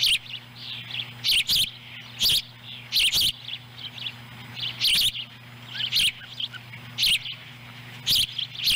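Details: Wild ospreys at a Montana nest on July 18, 2017, as a chick swallows a small fish and its sibling picks up scraps. Faint high chirps sit among regular loud clicking bursts about every second, with a low hum.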